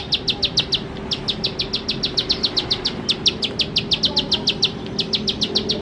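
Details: Bar-winged prinia singing nonstop in the 'nembak-nembak' style, used as a lure to get birds singing fast: high, sharp clicking notes at about five per second, with one brief break near the start, over a faint steady hum.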